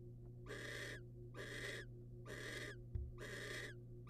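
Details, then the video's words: Barn owls in the wild, male bringing prey, a rodent, to the female; four drawn-out hissing screeches evenly spaced near one per second, a brief click between them, low hum beneath. "Male barn owl brings rodent to female"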